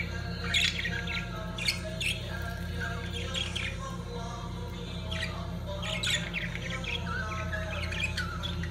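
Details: Lovebirds at mating time make scattered sharp chirps and short squawks in irregular bursts, set against a steady low humming background.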